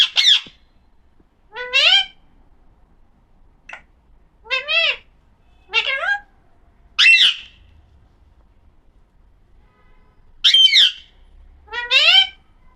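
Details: Pet Alexandrine parakeet (pahadi parrot) said to be talking, perhaps saying mommy papa: eight short, harsh, wavering bursts with rich overtones, spaced about one to two seconds apart, some rising and falling, against a quiet background.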